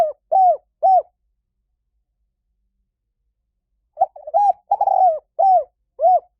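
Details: Spotted dove lure call for wild doves: two arched coos, about three seconds of silence, then a full phrase of warbled notes, a rolling coo and two more bowed coos.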